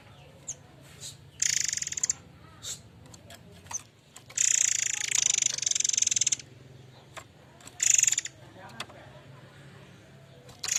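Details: Murai air mancur in lively song across eleven seconds: several rattling pulsed bursts, one lasting about two seconds, interspersed with sharp clicks and brief chirps, over a low hum.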